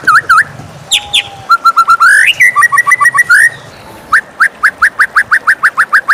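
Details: Morning song of a white-rumped shama: clear whistled notes, a brief buzzy rising phrase, then a fast series of short upslurred notes repeated about four times a second, over a constant soft background hiss.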